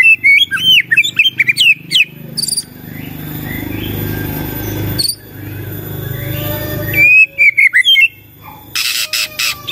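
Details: Song of a white-rumped shama, meant to get other shamas replying and singing: bursts of rich varied whistles open and close the stretch, with a long noisy hissing middle section between them.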